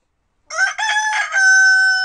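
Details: Domestic chicken, kept at home, crowing: one loud, harsh, broken phrase of rasping syllables that ends in a long, steady, drawn-out note about a second and a half long. No other sounds can be heard.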